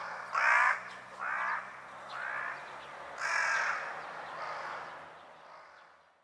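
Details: Carrion crow ground call: six hoarse, gravelly caws, roughly one each second, the first loudest and the rest gradually fading.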